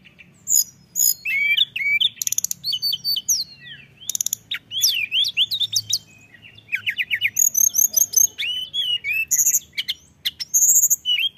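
A mountain tailorbird sings a lively, nonstop run of high, thin whistles, sharp chirps and quick buzzy trills, varying phrases every second or so.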